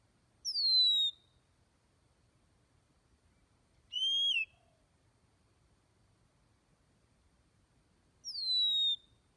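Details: Oriental magpie-robin giving clear whistled notes that slide downward, three phrases spaced about three and a half seconds apart, the middle one slightly rising then falling, over a quiet background.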